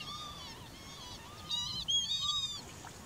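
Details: Eurasian curlew near Sułowo, Warmia, on 15 July 2021, giving faint whistled notes that become louder, overlapping, rising calls in the second half.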